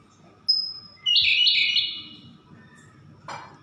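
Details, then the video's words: A Siberian blue robin sings a single thin, high whistle, then a loud, fast, rattling trill lasting about a second. A short, broad click follows, and a faint steady hum runs throughout. "Burung Siberian Blue Rubin"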